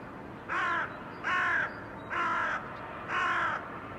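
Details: Four harsh, hoarse caws from crows in a blue sky, 2022, each about a third of a second long, repeated at an even pace under a second apart against faint background noise.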